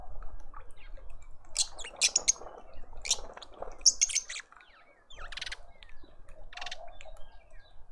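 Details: At a garden feeder in suburban Pretoria, South Africa, lovebirds give a run of piercing, scratchy chirps in irregular bursts, a brief lull near the middle, then more sharp squeaks, with faint low rumble behind.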